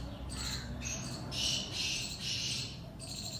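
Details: Kala Tetar, a Sindhi black francolin, heard as a run of scratchy, buzzy notes at moderate volume over a noisy background hiss.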